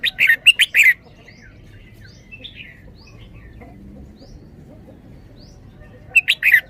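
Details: Red-whiskered bulbul kept in a cage sings in its 'double-double' style: a fast cluster of four or five bright whistled notes, a long near-silent gap with faint distant chirps, then another loud cluster.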